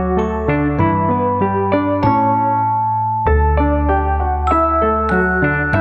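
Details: Gentle piano or electric keyboard melody with chords ringing out note by note over a steady low bass; no animal voices anywhere.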